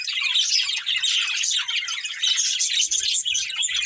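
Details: Budgerigar breeding pair chirping: rapid high twitters and scratchy warbles tumbling together without pause, faint low knocks near the end.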